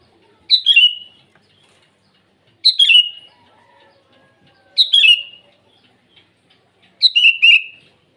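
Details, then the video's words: Sooty-headed bulbul in morning song, calling out to rivals. Four crisp phrases roughly every two seconds, each a high note falling into a rolling trill; the last phrase is longer and more rippling. Quiet background otherwise. "Suara burung kutilang memanggil lawan di pagi hari"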